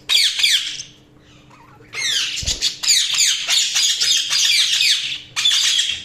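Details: Budgie chatter: a brief burst of chirps, a quiet pause, then sustained rapid warbling with many downward-sweeping notes and scratchy squawks running on for several seconds over a low electrical hum.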